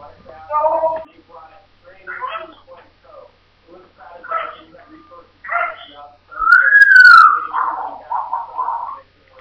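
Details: African grey parrot talking while playing fearlessly indoors: a run of short speech-like phrases with gaps between them, then a loud rising-and-falling whistle near the end followed by quick warbled notes.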